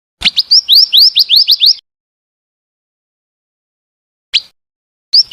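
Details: Female scarlet minivet call: a rapid series of about nine rising, thin whistled upslurs, then silence broken by two brief single chirps.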